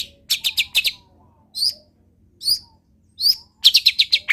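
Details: Long-tailed shrike delivering mimicked wild-bird phrases: a fast burst of four high chips, three spaced single whistled notes after pauses, then another quick string of bright chips ending in a downward slur.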